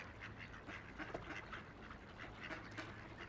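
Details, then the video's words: Ducks on a quiet river call in brief harsh quacks, a few spaced notes in quick succession, with a faint background hum of flowing water. "Relaxing Ducks Quacking by the River"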